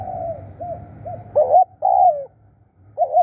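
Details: Decoy spotted dove calling in the 'krun' style: soft low coos at first, then three loud throaty bursts, each a quick rising note followed by a longer falling coo, with a short final phrase.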